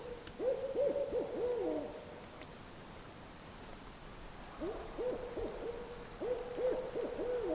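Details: A Barred Owl in the far north backcountry, heard on a clear night, gives two quick bursts of low, throaty hoots, each a rapid run of slurred notes, with a quiet pause between them.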